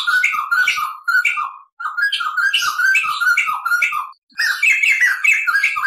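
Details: Crested laughingthrush (poksay jambul) tutor song, a lively rolling run of chattering, whistled phrases with bright notes, delivered in fast bursts with short pauses between them.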